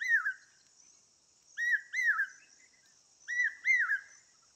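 Asian koel giving clear, whistled two-note phrases that rise then fall, repeated about every one and a half seconds over a steady high insect drone.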